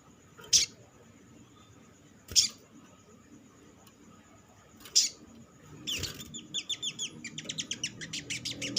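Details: Olive-backed sunbird lure song for stimulating other sunbirds to sing: three isolated sharp high clicks spaced about two seconds apart, then a quickening run of thin, high chipping notes building toward the end.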